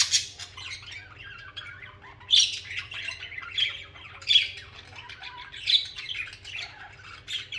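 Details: Budgerigars singing and chirping together, a busy mass of warbling, squawky chatter with sharper chirps rising out of it every couple of seconds.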